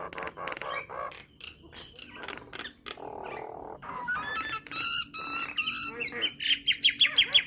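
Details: Song of a Nias hill myna, used to stir starlings into singing: rasping, buzzy harmonic squawks and clipped notes give way to a run of short, evenly repeated high whistles at the end.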